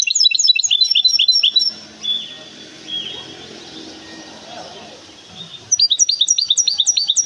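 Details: Large goldfinch hybrid from Temara gives fast, high twittering song at the start and end. Human speech and background noise fill the quieter middle stretch.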